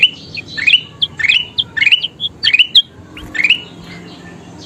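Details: Kutilang emas (ruby-throated bulbul) in energetic, frequent 'gacor' singing, used as a training recording so other birds sing more: loud bright chirpy phrases with quick rising and falling notes, repeated in bursts, in a small room.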